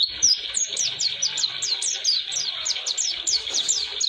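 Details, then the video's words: Oriental white-eye in long 'roll durasi' song, used for tutoring songbirds: an unbroken chain of sharp, very high chirps, each falling quickly, repeated rapidly and steadily throughout. "Kicauan Pleci Atau Si Burung Kaca Mata Roll durasi Cocok Untuk Pemasteran"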